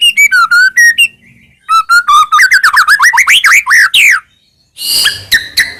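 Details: White-rumped shama song used as a training track to make other shamas answer: loud varied whistles, a sliding downward note, then a rapid series of rising and falling slurred whistles, and a burst of harsh chatter near the end.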